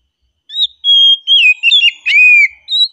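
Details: Calm song of an oriental magpie-robin: drawn-out, level and downslurred whistles strung together, a short crackling note, then a closing rising whistle.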